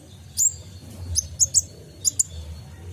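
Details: Kolibri ninja sunbird singing for caged-bird training: a few isolated, piercing high chirps and paired sharp notes separated by short pauses, over a low background hum.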